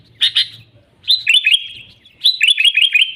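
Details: Sooty-headed bulbul singing loudly, an original recording with no inserts, used as a lure for trapping: two quick sharp chirps, then two runs of short, stepping, whistled notes.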